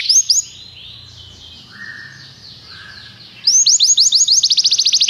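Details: Singing Belgian canary, a tutor ('professor') bird: two sharp opening notes, soft lower warbling in a quiet middle, then a sudden loud, fast trill of rising whistled notes.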